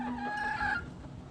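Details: A young rooster perched on a railing gives one short, thin crow, a strained tonal note held under a second before breaking off, calling for scratch feed on a cold day on Western New York farmland; faint background hiss.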